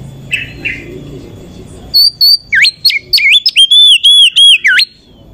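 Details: Oriental magpie-robin, used as a lure to raise other magpie-robins' excitement: after a quiet start, a loud burst of rapid whistled notes, sliding and dipping phrases repeated about three times a second.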